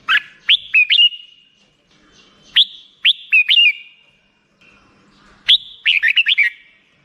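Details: Black-crested bulbul delivering short bursts of two to six bright, slurred whistles with pauses of over a second between phrases.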